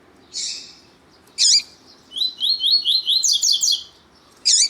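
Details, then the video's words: Double-collared seedeater: a male singing alongside a calling female, meant to stir other males into song. A few loud, sharp, high notes lead into a fast run of slurred, whistled phrases, then one more sharp note. "ESQUENTAR COLEIRO TUÍ TUÍ COM COLEIRO TUÍ TUÍ E FÊMEA DE COLEIRO CHAMANDO PARA ESQUENTAR COLEIRO"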